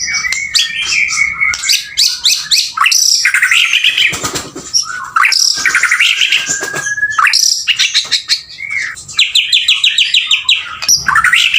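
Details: Male White-rumped shama singing vigorously, pouring out dense overlapping phrases of bright whistles, fast trills, harsh chatters and sudden clicks, hardly pausing.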